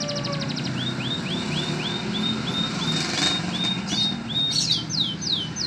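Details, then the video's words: Green domestic canary tutored with lovebird song, opening with a fast high trill, then a run of short upslurred whistles about every third of a second, ending in louder downslurred sweeps, with low rumbling noise beneath. "KENARI IJO ISIAN LOVEBIRD MEWAH"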